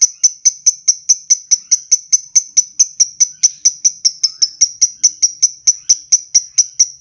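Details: Lovebird ticking, part of a ngekek training recording: sharp, clean, high tick notes repeated at a steady pace of about three per second for seven seconds, with nothing else heard.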